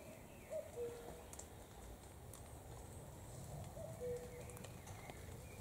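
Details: Common cuckoo heard in countryside, two faint low two-note calls, the second note dropping, about three seconds apart, under steady broadband background noise.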